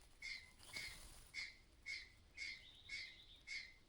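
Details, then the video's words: Harsh, rasping alarm notes from a mother myna signalling possible danger nearby, seven clipped clattering calls spaced roughly half a second apart against a quiet background. "The mother bird is acting strangely, making a clattering sound—there may be danger nearby."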